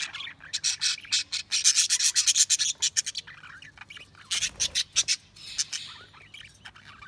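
Budgerigars chatter in rapid, scratchy high chirps, roughly three a second, in bursts with brief pauses.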